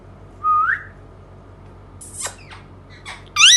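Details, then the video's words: Indian ringneck parakeet giving a clear rising whistle, then soft raspy noises, and closing with a sudden loud harsh squawk. "parrot talking indian ringneck"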